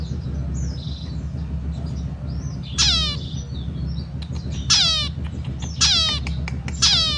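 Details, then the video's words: Zebra finch singing: repeated loud, harsh downward-sweeping nasal notes roughly once a second in the second half, following softer chattering calls, over a strong low rumbling background hum. "Zebra Frinch berkicau"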